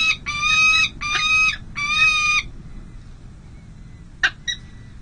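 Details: Peregrine falcons at the San José City Hall nest on 05/05/2022, during the first difficult feeding of two chicks, giving three harsh, rasping wails, each under a second long, then two short sharp notes over a faint low hum.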